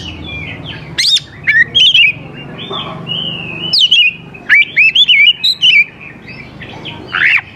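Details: Lure song of an oriental magpie-robin for coaxing young wild birds to answer: spaced bursts of sweet whistles, sharp upsweeps and short warbled phrases, with a sustained flat whistle and quiet gaps between bursts.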